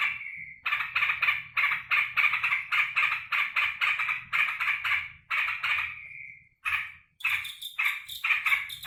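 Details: Sooty-headed bulbul kept in a cage, excited as its keeper returns from work, pours out a long run of buzzy chattering bursts, pauses briefly with a drawn-out note, then resumes in faster, higher notes.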